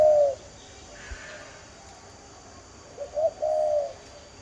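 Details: Spotted dove, known locally as cu gáy đồng, giving a low cooing call: a short hooting note, a pause, then a soft rising note leading into a drawn-out flat coo, with faint background hiss.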